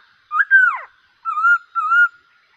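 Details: Singing bulbul, black-cheeked, with a loud fluty whistle that swoops down at the end, followed by two mellow wavering whistles of equal pitch, in a quiet setting.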